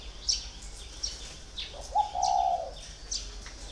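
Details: One soft, drawn-out coo from a spotted dove kept caged for four years, rising slightly then steady, amid faint high chirps of other birds.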